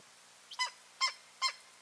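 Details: Pair of eagles at their nest on 15 March 2023, calling; three short harsh yelping notes about half a second apart, over a quiet low hum.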